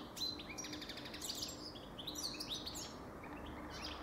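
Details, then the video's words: Goldfinch song: a rapid, tinkling jumble of high twitters, trills and sharp chips running without pause over a faint low hum. "Goldfinch Best Song Ever"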